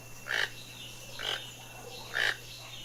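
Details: Toucan uttering rough, croaky calls with a nasal ring, three notes spaced roughly a second apart over light background noise.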